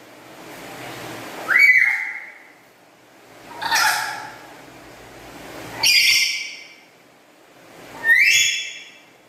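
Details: A kept black-capped lory chatters loudly and melodiously. Four strong, rich-toned calls come roughly two seconds apart, each starting with an upward sweep into a sustained, buzzy, harmonic whistle. The background is quiet.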